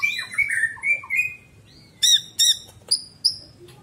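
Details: Greater green leafbird master song for pet-bird training: an opening jumble of quick whistles and chirps, followed by loud, spaced, sharp harmonic-rich notes.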